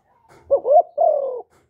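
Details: Single phrase from a spotted dove used to lure birds: a short upswept note, then a rising coo, then a long smooth falling coo, clean and without background noise.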